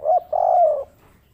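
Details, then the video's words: Local spotted dove of the kuk 3 type cooing: a short note followed by a longer, smooth, slightly falling coo, low and mellow. "burung tekukur lokal kuk 3 pembawa hoki nyata"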